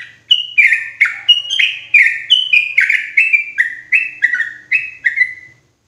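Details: A yellow-vented bulbul gives a loud, clear lure call used to attract wild bulbuls in the forest, a bubbly series of about eleven slurred, falling notes, roughly two per second, with no other sounds.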